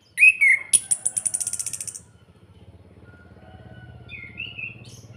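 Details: Orange-headed thrush kretekan, played to stir other birds into singing: a couple of short whistles, then a loud, fast metallic rattle fading over a second, and after quiet a lone slurred whistle.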